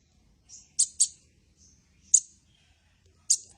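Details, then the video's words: Sunbird giving short, sharp, very high chirps: a quick pair near the start, then single chips spaced about a second apart, with quiet gaps and faint low background rumble. "Burung Kolibri"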